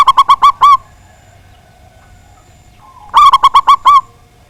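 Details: Local zebra dove, loud-voiced and a strong singer, used to provoke rivals into singing: two bursts of five or six rapid, rolling coos, the last note drawn out, separated by a few seconds of quiet.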